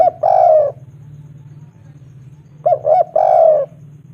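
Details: Local spotted dove calling a female: two short coos followed by a longer drawn-out coo, repeated after a pause of about two seconds, mid-pitched and clear, over a low steady hum.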